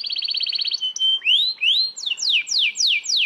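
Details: A canary sings a rolling song, used as master song for training young white-rumped shamas: a fast trill of about a dozen bright notes, then rising whistled slurs and a run of quick, sharply falling whistles.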